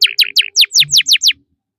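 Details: Canary giving a short phrase of eight sharp, strong notes, each sweeping steeply downward, evenly spaced about every fifth of a second.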